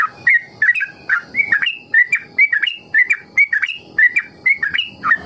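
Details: A yellow-vented bulbul, used as a lure to teach other bulbuls long rolling song, sings bubbly, liquid phrases of rising and falling whistles, about two short bursts a second, with soft chirps in the background.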